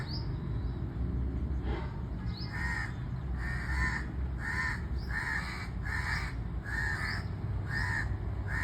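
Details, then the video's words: Crow cawing steadily, about nine harsh, nasal caws evenly spaced around every half second to second, with occasional faint high upward chirps from another bird and a constant low-pitched background hum. "Crow Bird Sound"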